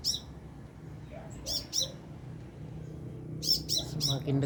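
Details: Sunbird perched some two meters above the recordist, giving loud, high, clipped chirps in quick clusters of two or three. Faint lower notes sit beneath, and a brief murmur of human voice comes near the end.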